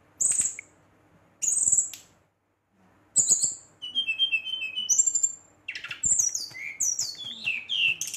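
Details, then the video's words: Agitated Brown-chested jungle flycatcher challenging rivals: short high whistled notes separated by pauses, building into a continuous stream of warbled, descending trills. "SRDC Gacor Ngeroll, Sikatan Rimba Dada Coklat ngamuk memancing emosi srdc lain"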